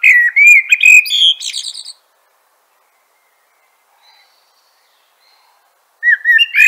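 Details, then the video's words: Mellow caroling phrase of a common blackbird, low fluty whistles running into a high scratchy twitter, followed by about four seconds of quiet and the start of another phrase. "Bird Song - Common Blackbird"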